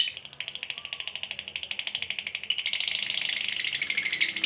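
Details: Lovebird delivering a long ngekek, used as a lure to provoke a lazy lovebird into singing: a fast, dry, rattling chatter of high buzzy notes, about three per second, growing louder and denser midway through.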